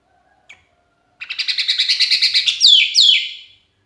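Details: Lonely sooty-headed bulbul singing actively and calling to companions, played as a lure: a fast run of about fifteen even, pulsed chattering notes, then two loud downslurred whistled notes.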